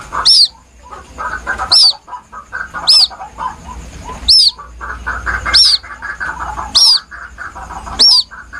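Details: Plaintive chick of the White-breasted waterhen, played as a lure: seven shrill high peeps, each briefly rising and dropping, repeated every 1.1 to 1.4 seconds over busy soft background chirping.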